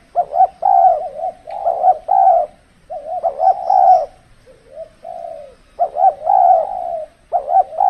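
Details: Spotted dove used for decoy trapping in the cold, extreme season; repeated cooing phrases of quick stuttered notes and longer coos, one softer, lower phrase midway, and a faint high chirp.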